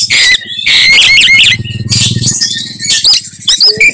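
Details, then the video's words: Oriental magpie-robin singing provocative fighting phrases: loud scratchy high notes and whistled slurs over a continuous low mechanical buzz, with a few sharp upward sweeps toward the end. "kacer gacor tarung bongkar materi tembakan khas bikin kacer lain NGAMUK dan EMOSI"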